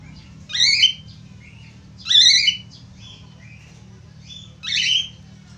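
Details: Budgerigar song played to prompt other budgerigars to sing: three loud harsh, buzzy chattering bursts about every 1.5 seconds, linked by softer short warbled notes, over a low steady hum.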